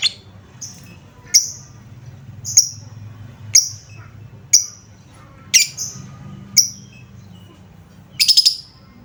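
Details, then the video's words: Lovebird lure sound meant to prompt lovebirds to sing: sharp high chirps spaced about once a second, ending in a short rapid burst of notes, over a low background hum. "Suara pancingan Lovebird"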